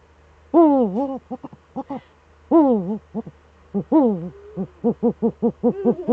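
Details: Both Eurasian eagle-owls in the nest hollow, webcam, 6 March 2013; three long harmonic wails interspersed with short stuttering notes, ending in a fast regular series of clipped calls.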